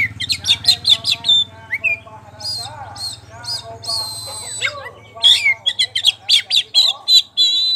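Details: Loud, busy ngeplong song from a champion caged poci Oriental magpie-robin: rapid strings of sharp chirps, rasping notes and a short held whistle, with a low hum in the background.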